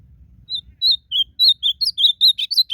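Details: Blue-black grosbeak singing in nature as part of a song contest: after faint low rumble, a quickening run of about a dozen crisp whistled notes, the last ones more varied and slurred.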